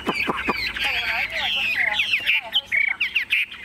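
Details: Tame caged Chinese hwamei in Vietnam sings a busy jumble of whistles and squeaky slurred notes, then short emphatic phrases, with some low rustling behind.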